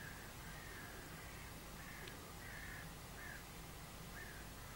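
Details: About 30–40 crows, with one magpie, mob a goshawk that has caught a crow, at 6 am on 22 March 2012 in northern Sweden, giving harsh, hoarse caws in overlapping bursts over a steady low rumble.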